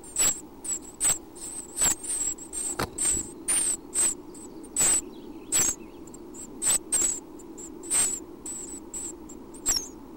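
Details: Chestnut-backed Chickadee nestlings, six chicks roughly a week old, beg at dawn feeding time in a nest box at Half Moon Bay, California. High-pitched chittering squeals repeat in short bursts between soft thumps, with the Pacific Ocean rumbling behind.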